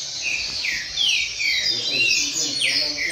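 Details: Brown-plumaged double-collared seedeater (coleiro pardo) singing steadily in a singing-contest circle: clear slurred whistled notes, many sweeping downward, repeated about twice a second over a dense high chatter of other birds.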